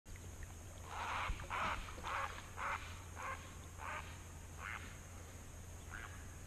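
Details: At Prettyboy Reservoir, Baltimore County, Maryland, a startled great blue heron croaks as it flies away: about eight hoarse squawks, roughly two per second, fading as they go, over a steady low hum.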